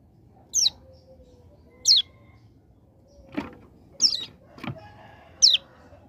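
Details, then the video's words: Hill prinia from a mountain area, recorded as a tutor track. Four high descending notes mix with two low clicking knocks. "Ciblek Gunung Paud Gacor Ngebren Ak47"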